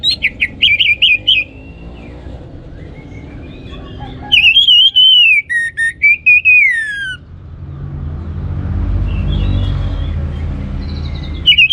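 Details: Orange-headed thrush song meant to goad other birds into singing: a quick run of trilled whistles, a pause, then long sliding whistled phrases ending in a falling note, followed by several seconds of low rumbling noise.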